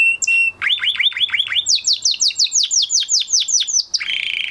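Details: Canary singing after the moulting period, a short note, then repeated low slurred chips that rise into a long run of high descending notes, ending in a harsh buzzy burst.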